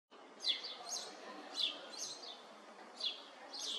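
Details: A Eurasian tree sparrow (Passer montanus) gives short, bright chirps, two or three every second, with a steady faint background hiss.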